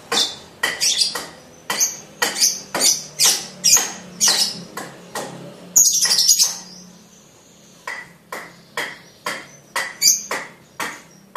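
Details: Young blue lovebird in mastering-stage ngekek practice: steady rows of sharp high chips, broken once by a short buzzy squeal and a brief pause before the chips resume.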